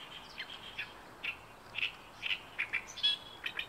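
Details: An Oriental reed warbler at Inuyama, Japan, on 28 May 2022 sings its territorial song: short, harsh chattering notes, about two per second, fairly faint over a quiet background.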